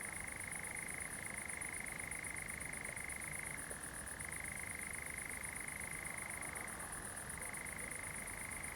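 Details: A European nightjar (Caprimulgus europaeus) suddenly starts churring among fireflies in a pine wood at Zamudio, Txorierri, Bizkaia, on the night of 7 July 2020: one long, unbroken mechanical trill, dropping briefly in pitch twice, then resuming its steady dry rattle.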